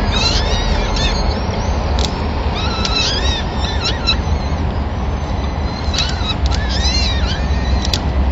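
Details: At a Madrid peregrine falcon nest, 26 April 2016, the male delivers the first meal of the day, a small bird fed to all the chicks; bursts of high, curved, whining calls come in clusters over heavy traffic-like drone.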